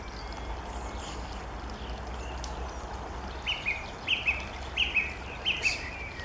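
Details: Thrush nightingale singing beside the Witoszówka river on 28 June 2014: a short, clear, whistled phrase repeated four times about every two-thirds of a second, over steady low rumbling background noise.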